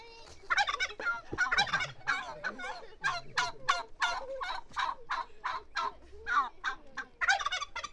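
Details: Turkey giving a long run of gobbling calls, rapid throaty bursts repeated several times a second in two loud flurries with a steadier series between, plus low rumbling sounds underneath.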